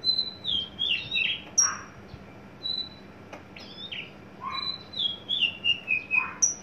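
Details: Tame caged adult male Horsfield's bush lark just coming into breeding condition: scattered clear whistles and slurred descending notes in short runs, with brief quiet gaps and a faint background hum.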